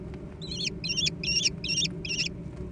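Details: Five quick, high, quavering trilled squeals from young American kestrels fighting over food, with a low hum beneath.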